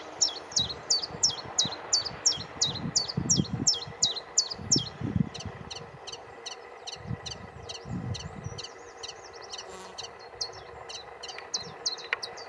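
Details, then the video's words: Long bout of common chiffchaff song on Aylesbeare Common, 16 June 2020: loud, high, evenly spaced notes near three per second, later softer, with intermittent low rustling beneath. "Chiff Chaff"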